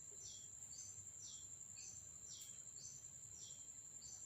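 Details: Caged blue-crowned hanging parrot, a freshly purchased red-breasted decoy moved from trap to cage, giving thin, high, downward-sliding notes roughly every half second, with a constant shrill tone running behind.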